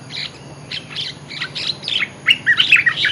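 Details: Olive-winged bulbul lure song: short bubbly, chirping phrases of mid-high notes come in quick bursts and grow louder and busier toward the end, over a steady low electrical hum.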